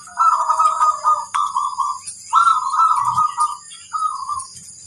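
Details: Training recording of a zebra dove singing, meant to get birds singing sooner. Several soft, rolling coo phrases descend slightly at their ends, with short gaps between them and a faint clack partway through.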